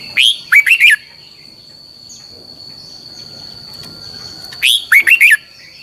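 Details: Training song of a red-whiskered bulbul, long double twisted style. Two matching phrases of four sharp, bouncy whistles sit about four seconds apart, separated by quiet with a persistent high whine.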